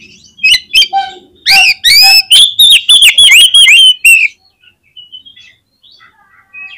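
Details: Oriental magpie-robin in full voice, played to make other magpie-robins sing: sharp notes open into a loud, fast run of rich slurred whistles lasting about three seconds, followed by faint thin twitters.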